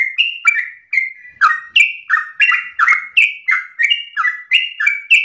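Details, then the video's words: Energetic sooty-headed bulbul giving its 'narung ropel' song style, fast clipped chirps alternating higher and lower, each note sliding slightly, delivered in a continuous insistent run without background noise. "Trucukan gacor narung ropel ngotot"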